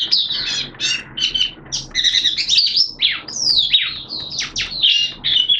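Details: Oriental white-eye kept as a hobby bird, in its opening song (buka sing), recorded 11 September 2022 in wet, erratic weather; rapid high twittering phrases with sweeping chirps and short whistled notes, nearly continuous with brief pauses.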